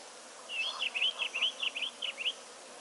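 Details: Gabar goshawks of differing forms, one melanistic, visit water to drink; around ten sharp, high piping notes, each bent and slurred, run together rapidly for nearly two seconds against a soft background hiss.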